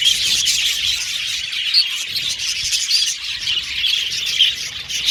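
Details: Aviary budgerigars keep up a busy high-pitched warble, overlapping chirps and squeaky notes that swell and fade every second or so.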